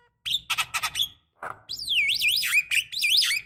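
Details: Javan myna sounds for coaxing young mynas to sing: several gritty chattering notes, a brief low rasp, then a long looping whistle that rises and falls repeatedly.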